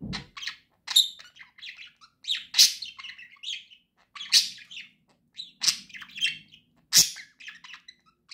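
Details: A pair of pet budgerigars sing happily: a lively, continuous warble of chirps, clicks and scratchy chatter, with loud sharp notes roughly every one to two seconds and a faint low thump at the start.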